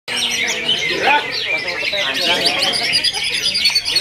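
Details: Greater green leafbird singing, its performance described as still steady: dense, high, varied twittering with rapid chirps and quick sweeping notes, other bird voices mixed in and faint talking in the background.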